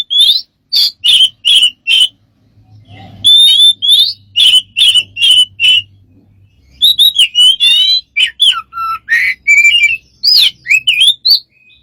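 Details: Smart bird producing strange sounds: evenly spaced short whistled chirps, repeated several times, then a faster mix of rising and falling whistles and chirps over a faint low hum.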